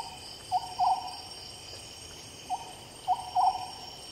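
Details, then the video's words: Oriental scops owl recorded at night: hollow, hooting notes in short series, a single note followed by two in quick succession, repeated twice, over a steady high-pitched insect hum. "Oriental Scops Owl"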